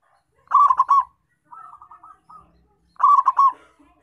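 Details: Local zebra dove in vigorous voice, a recording used to lure and trap wild zebra doves: two loud bursts of quick staccato coos, with a softer, fainter run of short coos in between.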